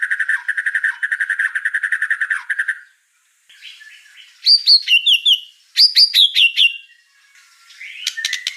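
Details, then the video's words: White-rumped shama (murai batu) in vigorous 'gacor' song: a fast, even buzzy trill for nearly three seconds, a pause, then loud bursts of high descending whistled notes and a final rising phrase. "Suara kicau burung murai batu gacor"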